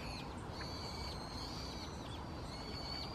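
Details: Brown-headed thrush calling on 2 January 2015, perhaps declaring territory, recorded with a Canon PowerShot SX60 HS; thin, high, drawn-out whistled notes, several faint strokes in a row, over a steady low background rumble.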